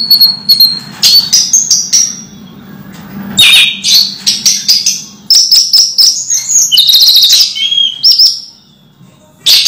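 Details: Caged orange-headed thrush, moulting yet still in full voice: a continuous, rambling stream of high chirps, whistles and chattering notes with only brief breaks.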